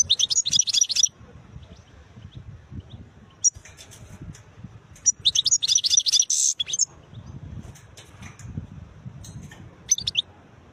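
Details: Khlawi European goldfinch song with beautiful notes: fast, high, liquid twittering bursts about a second long, repeated after pauses, with isolated sharp chirps between phrases and a low murmur beneath.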